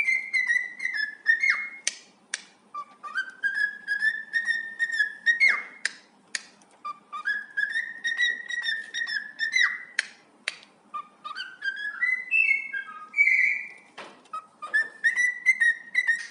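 A cockatiel sings long, wavering whistled phrases that slide up and down, broken by sharp clicks.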